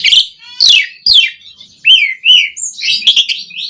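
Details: To spur caged starlings into song, an Asian pied starling gives three loud harsh descending rasps, then mellow upward-curving whistles and a jumble of higher squeaky notes.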